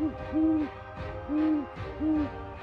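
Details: Great Horned Owl hooting, a voice quieter than the Bald Eagle's but more varied; four low, steady hoots, each about 0.3 to 0.4 seconds long and evenly spaced, over a faint musical backing.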